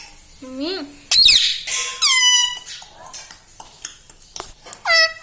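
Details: Caged or pet green ringneck parrot talking at home, mimicking words like mummy and papa: short harmonic vocal phrases with squeaky bursts and falling whistled syllables, a brief noisy squawk, quiet gaps between utterances.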